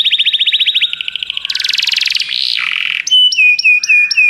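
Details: Canary song used to stimulate a pet canary: a quick high trill, a harsher rattling tour, a wavering warbled passage, then evenly spaced clear whistled notes with sharp starts.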